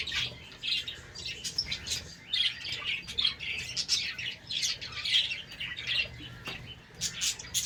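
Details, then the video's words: Morning chorus of budgerigars in a colony breeding setup, playing and active. Bursts of busy high twittering and squeaky chirps overlap and swell and fade every second or so, with a faint low hum underneath. "Budgies sounds in HD quality| PART 1 SOUNDS AT MORNING"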